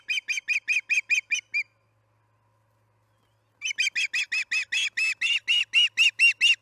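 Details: Osprey calling at the Charlo nest during evening feeding, 6pm, July 9, 2019: a run of about eight evenly spaced sharp chirps, two seconds of silence, then a long, steady series of loud, clipped whistled calls.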